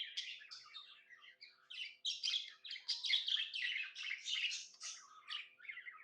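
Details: Happy pet budgie chattering indoors, a steady stream of quick scratchy chirps and warbles with rhythmic swells in loudness, no other sounds heard.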